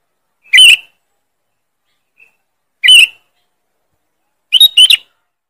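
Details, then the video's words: Sooty-headed bulbul lure call, loud and sharp: three short bubbly chirped phrases spaced about two seconds apart, with a faint brief note between the first two, against silence. "Suara pikat Burung kutilang. Keras dan tajam"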